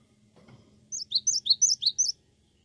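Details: Cinereous tit in lively song: a rapid string of about eight high, sharp notes stepping between two pitches, after a soft low rustle and faint hum.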